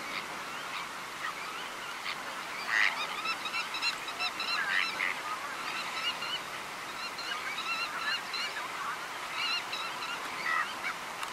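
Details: In the Camargue, France, in May 2018, White-winged terns give harsh, rasping, chattering calls, several birds overlapping in a steady jumble, with sharper squawks every few seconds.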